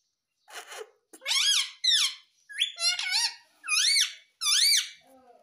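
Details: Pet green ringneck parrot talking indoors, saying a repeated word-like phrase: a series of loud harmonic rising-and-falling squeaky syllables in quick succession, several in five seconds.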